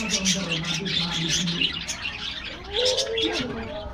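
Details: Aviary budgerigars receiving a morning treat, chirping in rapid overlapping bursts of high twitters. A smooth, low, drawn-out cooing tone runs through the first half, and a short rising whistle comes near the end.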